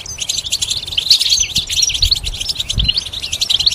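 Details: Continuous high twittering and jingling from a goldfinch hybrid, notes tumbling together rapidly over a faint low background hum.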